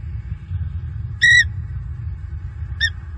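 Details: Bald eagle pair on a nest tree in Southwest Florida at night, watchful and calling at what they see after an owl-like bird flew toward the nest. Two brief high harmonic squeals, the first louder, over steady low rumbling hum.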